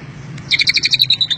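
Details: Greater green leafbird (cucak ijo) singing a song filled with the Cililin style (isian Cililin): after a brief quiet start, about ten short, bright, ringing chirps come in a quick, evenly paced run.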